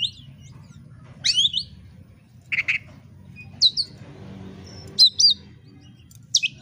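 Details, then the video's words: Oriental magpie-robin (kacer) song used as bait to provoke a rival into fighting: sharp, high chirped notes and short slurred whistles in scattered bursts, over a steady low hum. "pancingan kacer agar tarung"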